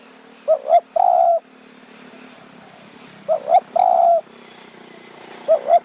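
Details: Decoy-luring of spotted doves in Kanchanaburi's mountain forest, Thailand, toward evening. Two complete cooing phrases, a clipped double note then a sustained low coo, plus the start of a third, over a faint steady hum.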